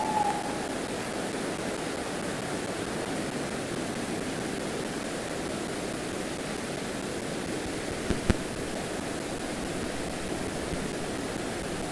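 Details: Steady broadband rushing noise like wind or running water, with a single sharp click near the end and no clear animal call.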